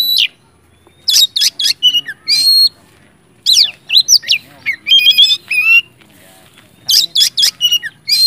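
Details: Oriental magpie-robin singing with full emotion to provoke other magpie-robins to sing: clusters of harsh squawky rasps and bright whistled notes in quick groups, broken by one-second silences.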